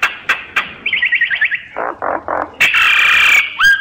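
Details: A myna gives a quick staccato trill of short whistled notes, then low throaty pulses, a long harsh rasp and a final rising whistle.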